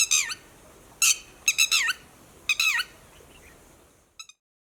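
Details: Red-wattled lapwing issuing an alarm call to companions because of human movements: loud, shrill, descending cries in quick groups of two or three, repeated several times, fading near the end.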